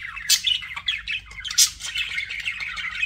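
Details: Budgies give a tangle of buzzy warbling notes broken by a few sharper, louder squawks, the chatter running without a break.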